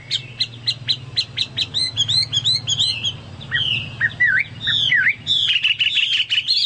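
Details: Chinese hwamei singing a lively song likened to a cucak Papua or cucak mas: rapid repeated high chirps, then slurred, swooping whistles and fast trills, with a steady low hum underneath.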